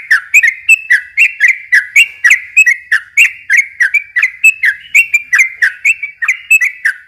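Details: Yellow-vented bulbul (trucukan) song used as a lure for young birds: a long, steady run of bright whistled notes, each a short bubbly upslur, about four per second with little pause, in a quiet setting.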